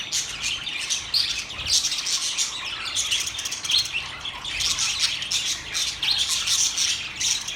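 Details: Chirping budgerigars keep a dense, high warbling chatter of quick scratchy notes and short squeaks, several birds calling at once.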